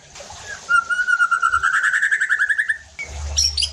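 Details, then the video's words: White-rumped shama song used to provoke other shamas into singing: a rapid trill of repeated notes rising steadily for two seconds, followed by a brief sharp high note and noise. "PANCINGAN EFEKTIF JADIKAN MURAI BATU NEMBAK KASARR UNTUK MENINGKATKAN EMOSI DAN BONGKAR ISIAN"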